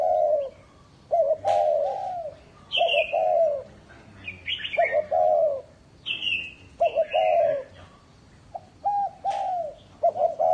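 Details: Spotted dove kept as a lure bird at a northern Vietnam aviary, cooing in low two- and three-note phrases, mixed with several higher, falling chirps from other birds.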